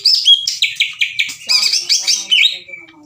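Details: Greater green leafbird delivering loud, hard-hitting challenging song at another leafbird: a quick string of sharp, bright whistled notes in stacked bursts about every quarter second, ending in a descending whistle.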